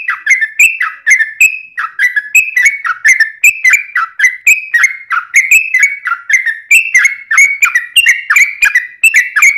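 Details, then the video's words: Yellow-vented bulbul singing briskly, its long 'ropel' song used to draw replies from other bulbuls: steady run of short liquid, whistled phrases, each dipping then rising, repeated about twice a second. "SUARA trucukan gacor ROPEL PANJANG pancingan trucukan agar bunyi"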